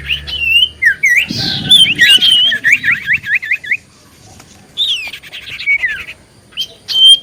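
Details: Lure recording of a common iora in lively song, meant to draw quick replies from other ioras: rapid runs of wavy, looping whistles, then a falling whistled phrase and a few sharp high notes, with buzzy chatter from other birds.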